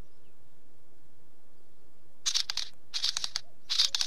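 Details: Wheatear calls: three short bursts of harsh, crackling, rasping notes, each well under a second, after a quiet stretch with soft background hiss.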